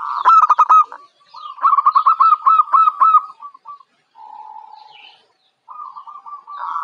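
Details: A young local Javan zebra dove, described as bold and ready for song contests, gives quick runs of soft, stuttering, rolling coos, pausing briefly before a lower drawn-out note and another burst.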